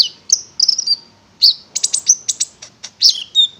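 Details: Konin (prinia) lure song for prompting singing: dense, high, buzzy chirps and trills in quick succession, ending in a clear falling whistled note.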